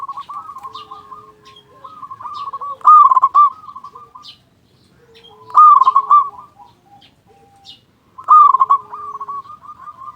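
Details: Local zebra dove, a loud-voiced, actively singing bird, recorded as a lure to provoke other doves to sing: loud rolling cooing phrases about every 2.7 seconds, with softer cooing from other doves in between.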